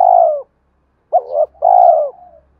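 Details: Male spotted dove coos meant to spur fighting and attract a mate; a long throbbing descending coo, a pause, then a wavering double coo and another drawn-out falling coo, with faint low rumble beneath.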